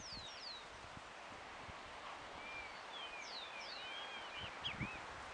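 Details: Hooded siskin calling at Parque del Plata, Uruguay, on 17 November 2020: a loose series of thin, high, slurred whistles, some rising and some falling, scattered through the clip, with soft rustling and low thumps beneath.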